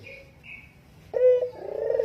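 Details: Spotted dove used as a lure, a single deep coo starting abruptly and swelling into a wavering hoot, preceded by two faint high chirps from another bird.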